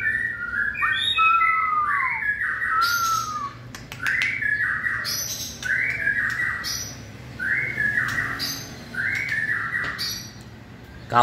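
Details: Recorded 20 March 2020 during the 2020 season, a white-rumped shama in full 'fire' condition sings a long pure whistled slide, then a string of repeated rich, rolling phrases about every 1.5 seconds, punctuated by clicks.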